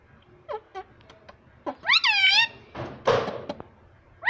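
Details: Pet parrot mimicking Hindi speech indoors: soft clicks, then a loud wavering voiced phrase, followed by a harsh noisy burst and a thump, over a low room hum.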